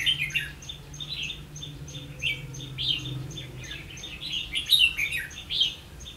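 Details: A red-whiskered bulbul serves as a trapping decoy on 16 October 2016, singing short, lively chirped phrases that come in clusters, with a low droning hum underneath.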